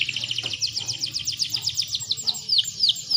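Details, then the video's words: Canary lure sound for getting males to sing: thin high rapid trill of repeated notes over a noisy low background, slightly distant. "PANCINGAN KENARI BAHAN AGAR CEPAT BUNYI"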